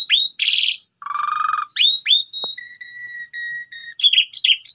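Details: Asian pied starling lure song for morning, calling a rival to sing: a harsh rasp, a buzzy low trill, then sliding whistles and clear steady piping notes repeated in a quick series.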